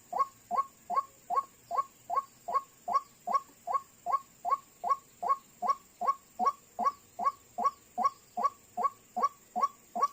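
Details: Call of the White-breasted waterhen used to attract birds for trapping, two arriving within seconds: monotonous croaks repeated evenly around every 0.4 seconds without pause across the whole stretch.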